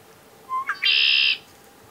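Red-winged blackbird: a short low note and a quick rising slur, then a long, harsh, buzzy trill of about half a second. The background is otherwise quiet.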